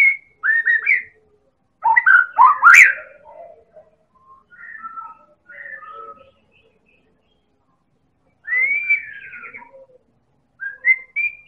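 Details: White-rumped shama of the Medan type, used as a lure call, pours out rich, varied whistled phrases, some sliding and trilled, in loud bursts separated by short pauses.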